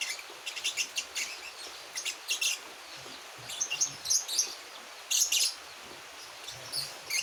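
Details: One-month-old young Javan white-eye learning to sing: thin, high chirps and short twittering phrases in scattered bursts, some clustered notes near the end, over a faint steady background hiss.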